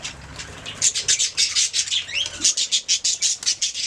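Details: Budgerigar song of rapid rhythmic chirps, roughly five per second, sharp and high-pitched, with a short rising whistle near the middle and a faint low hum early on.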